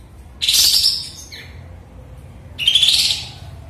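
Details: Sooty-headed bulbul, just after moulting and back in full song after having gone silent, fanning its tail: two bright, high, chattering phrases about two seconds apart, with a softer lower note between them over a quiet background.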